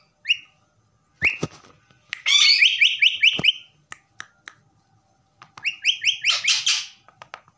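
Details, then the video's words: Pet common myna whistling: short rising whistled notes, then two fast bursts of about eight clipped, repeated whistles each, separated by pauses and scattered clicks. "myna whistling"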